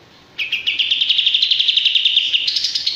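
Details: Male olive-winged bulbul giving a fast, high trill of about nine notes a second, rising slightly in pitch and stepping higher near the end; nothing else heard.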